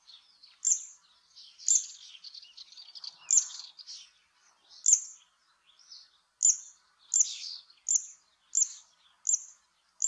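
Zitting cisticola giving sharp, high 'zit' notes repeated about once a second, over a soft rustling hiss.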